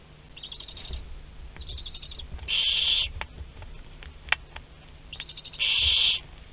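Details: Nest-box barn owls, Théding, France, 27 April 2021, prey loose in the box: two loud harsh hisses about half a second each, separated by softer wheezy rasps and faint clicks.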